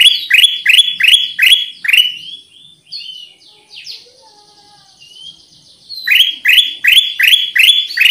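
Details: Lure song of a Black-capped bulbul: about six rapid rising chirps, a gap with soft whistling, then another run of six loud chirps.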